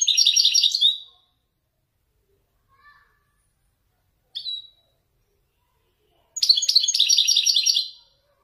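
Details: A caged Moroccan male Wediani European goldfinch sings Marrakchi descending phrases. A quick, bright twittering trill is followed by a lone chirp and then a longer, rapid tinkling run of liquid notes.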